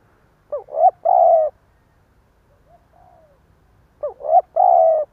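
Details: Decoy spotted dove with a stuttering provoking coo ('gù cà lăm'): two phrases of choppy rising notes ending in a sustained mellow coo, about three seconds apart, with faint soft cooing between.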